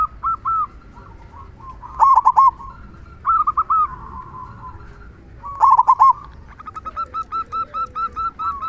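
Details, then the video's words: Caged local zebra dove with a big "kung" voice, its song meant to stir silent doves into singing: stuttered coo phrases repeated several times, ending in a quick run of evenly spaced short notes. "Perkutut Lokal Gacor Suara Kung Besar Pancingan Burung Perkutut Agar Bunyi"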